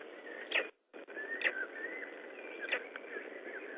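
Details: Black stork chicks calling from inside their eggs in Estonia, 19 May 2012, as one egg shows its first hole; faint high squeaky peeps and brief thin whistles sound over a steady hiss, with a short dropout near the start.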